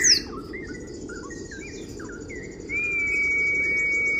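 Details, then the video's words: Kriwik song of an Oriental white-eye, played to provoke opponents: a sharp high note, then a series of soft slurred chirps spaced irregularly, ending in a long, steady held whistle. "Pleci Full kriwik Gacor Halus ❗❗mancing emosi lawan"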